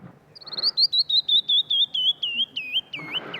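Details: Canyon wren (Catherpes mexicanus) song: a descending cascade of about a dozen clear whistled notes, slowing toward the end and closing with a few lower slurred notes.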